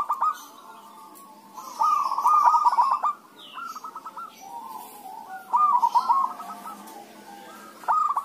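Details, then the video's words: Busy exchange of zebra dove (perkutut) song used as bait to get other doves singing; stuttering, bubbling coo phrases about every three to four seconds, with fainter answering doves calling faintly underneath. "pancingan suara perkutut rame"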